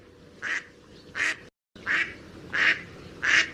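A mallard gives five harsh, nasal quacks, spaced roughly every seven-tenths of a second, over a faint background hiss.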